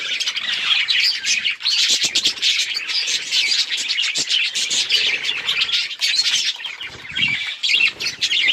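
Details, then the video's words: Continuous budgerigar chirping: many high, thin tweets and grating warbles overlap, with occasional soft low bumps like wing flutters. "Budgrigar Bird Sound to Reduce Stress | chirping noises"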